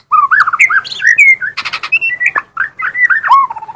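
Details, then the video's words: Murai batu, the white-rumped shama, in lively full song: rich, fluid whistled warbles that rise and fall in quick succession, broken by a brief harsh rasping burst midway, then more looping whistled notes. "kicau burung mb bermain sangat gacor"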